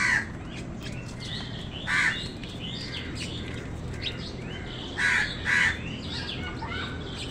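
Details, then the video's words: Crows cawing as wild birds fight them for food: scattered grating caws, including a close pair near the five-second mark, among busy chirps and squeaks from other birds. "কাকের ডাক crow sound Wild birds fight with crows for food | Crows fight with birds for food"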